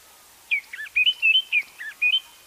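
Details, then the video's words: White-browed Scrub Robin repeating its call phrase: a rapid run of clear, high whistled notes, some rising and some falling, packed into about two seconds. "White browed Scrub Robin calls"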